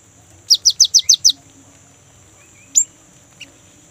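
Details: A young great tit, sung as a lure for kept birds, delivers six bright, quick downslurred whistles in an even run, followed after a pause by a single sharp high note and a faint chip, over a thin steady whine.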